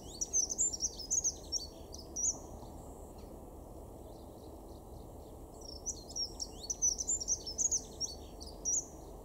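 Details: Dunnock in a garden in Weener, East Frisia, northwest Germany, in February: two quick, high, scratchy warbled phrases of about two seconds each over a steady low rumble.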